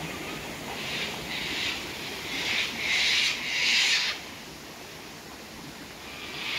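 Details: A run of raspy, grating cockatoo calls that grows louder and closer together, then stops. The birds are drinking at sunset at Tanninaba Falls, Springbrook, on 19 May 2024, with waterfall noise throughout.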